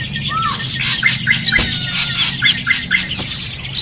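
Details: Drongo in a noisy lure recording played to draw birds for trapping: short arched, slurred notes repeated about twice a second, over a dense wash of high chirps and trills and a steady low hum.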